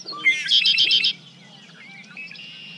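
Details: A Red-winged Blackbird recorded from 50 feet away gives a few sharp introductory notes, then a loud, buzzy, rattling trill lasting about half a second; softer chirps from other birds follow.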